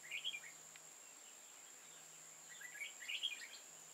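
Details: Old wild red-whiskered bulbul with a tall crest and dark bib, recorded during trapping on 15 October 2018: short bright warbled phrases, one brief burst then a longer tumbling run, over a steady high whine and faint low hum.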